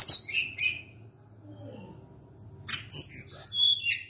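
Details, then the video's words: Sunda blue robin in lively long-rolling song: a short high chirping burst, a pause with faint low hum, then a run of clear, high whistled notes that slide downward. "Ocehan Tledekan Gunung gacor Ngeri Bikin Tledekan Apapun ikut Gacor Ngerol Panjang"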